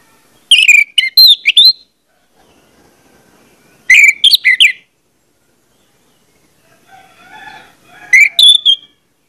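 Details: Orange-headed thrush song used as a lure to get other birds singing: three bursts of rich, loud whistled phrases with quick up-and-down notes, separated by silent gaps of about two to three seconds.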